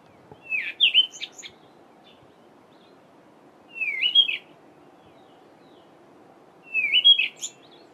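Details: Male Cape robin-chat singing his normal song in a garden during the dawn chorus in mid-winter (July): three short, sweet whistled phrases that rise and warble, about three seconds apart, over a soft low hum.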